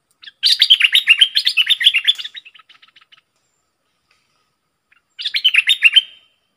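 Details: Caged decoy bulbul, described as a fierce, in-form singer, recorded 22 August 2021: two bursts of rapid, chattering warbled song, the first about two seconds of quick fluttering notes tailing into faint ticks, the second a shorter phrase after a pause.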